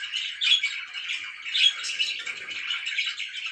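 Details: Pet budgerigar chirping in the morning: busy, scratchy warbling chatter with short squawky notes, steady and dense throughout, a couple of louder bursts standing out, no other sounds.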